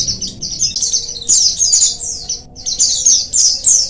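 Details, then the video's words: Colony of oriental white-eyes played to prompt lazy birds to sing: rapid, high, slurred twittering notes, many per second, run together in a busy chorus with a short gap near the middle. "Koloni pleci,merangsang pleci malas Bunyi agar cepat ngalas"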